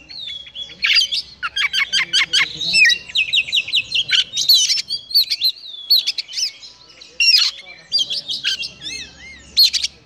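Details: A fan-tailed Konslet-type Oriental magpie-robin (Copsychus saularis) sings a rich, varied song of clear whistles, rapid trills and scratchy notes.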